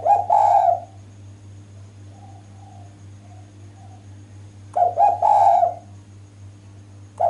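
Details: Female spotted dove calling to attract males. One rich, husky cooing phrase, about four seconds of near silence with faint distant coos, then a second stuttering phrase and the start of a third, over a low background hum.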